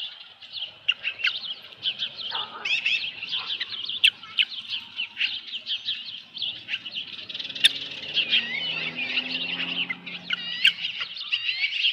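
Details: Evening calls from an osprey nest on a ranch, mid-July 2018, with a headless fish delivered: steady stream of piercing, high chirps and slurred whistles, several per second, with a soft low rumble later on.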